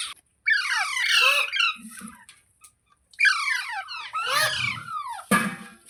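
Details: Green parrot kept indoors, giving loud harsh squawks in two bursts, each a run of rapid falling screeches with rich overtones, separated by a short quiet gap.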